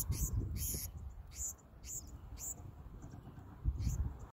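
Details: Feeding black-throated sparrows, food going from hand to beak to beak; rapid high, hissy begging bursts sound several times in the first half, then fade, over constant low-pitched wind or handling rumble.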